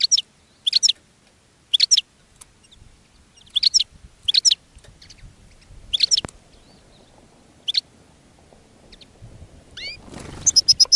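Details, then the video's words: Goldfinches near a singing caged bird that attracts others: brief high chirping bursts at irregular intervals, a rustling noise near the end, then a quick trill. "GOLDFINCH SINGING in a Cage and Attracting Other Goldfinches"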